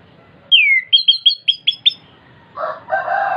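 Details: Orange-headed thrush singing as a prompt for a caged bird: a long downward-slurred whistle, then six short bright whistled notes repeated rapidly, followed by two harsh, lower clucking bursts from another bird.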